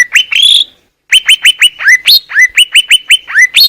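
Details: Greater green leafbird singing in the wild in Indonesia, a clear master-song recording: loud whistled notes with sharp upward strokes, a brief pause, then a quick run of about a dozen repeated whistles, some sliding downward.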